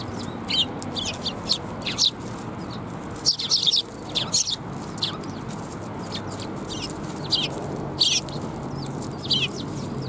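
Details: A group of sparrows arriving for food at a Tenmangu shrine, 7 January 2021. Short, bright, high-pitched chirps come in irregular bursts, sometimes clustered in twos and threes, over constant low background noise and occasional thumps.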